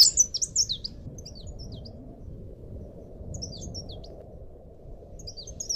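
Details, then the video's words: Master recording of leaf warbler song for cage-bird training: short, high, squeaky twittering phrases that open loud, then recur softer at intervals, set against an even low-pitched hum. "masteran burung cikrak daun / pare-pare"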